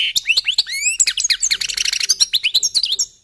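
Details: European goldfinches warming up: a lively three-second phrase of rising whistled notes that runs into a rapid scratchy trill and ends in sweet chirps.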